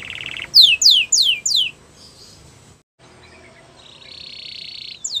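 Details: Canary training song: a short buzzy roll, then four loud, clean, descending whistled sweeps. After a brief pause there is a long, soft, buzzy tone and the start of another sweep.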